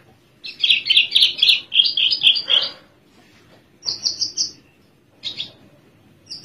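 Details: Caged Javan Horsfield's bush lark, sitting relaxed and singing, gives a rapid, buzzy, high chattering phrase lasting about two seconds, then shorter high trilled bursts after pauses.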